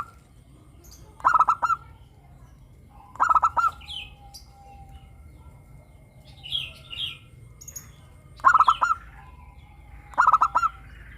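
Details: A local zebra dove sings repeatedly in the morning, giving four stuttering phrases of quick hollow coos roughly every two seconds, with short pauses. Small high chirps from other birds are scattered between them.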